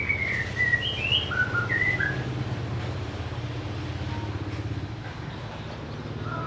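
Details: White-rumped shama singing a quick run of clear, varied whistled notes that rise and fall, lasting about two seconds, followed by a steady low engine hum and traffic-like rumble.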